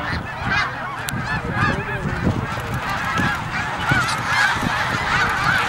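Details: Snow geese on migration at Middle Creek, Pennsylvania, calling en masse: overlapping nasal honks form a constant wall of sound, with several distinct upward-inflected yelps near the end.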